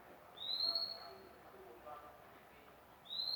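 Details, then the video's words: Recently obtained captive magpie-robin uttering one drawn-out, upward-sliding pure whistle, followed about two and a half seconds later by the start of another, against a quiet, hissy background. "mk baru dapat dah bunyi"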